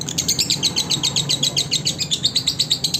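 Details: Training recording of a lovebird for other lovebirds: sharp, high, squeaky chirps repeated about five times per second in an even, bouncy rhythm.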